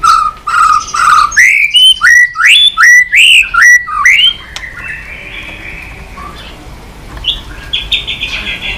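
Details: White-rumped shama, played to encourage a weak bird to sing: a run of about eight loud rising whistled notes, then fainter scratchy warbling and background hiss.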